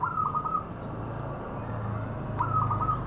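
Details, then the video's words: Cooing of a local zebra dove, played as a trapping lure: two short phrases of quick, rippling, mellow notes about two seconds apart. Low rumbling noise fills the background. "Suara Perkutut Lokal Cocok Untuk Pikat"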